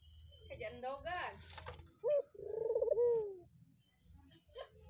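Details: Barbary dove kept near a house at Gunung Karang, said to call at night, midday, dawn and morning: a man speaks first, then a short clipped note and a rolling, pulsed coo ending in a smooth falling tone.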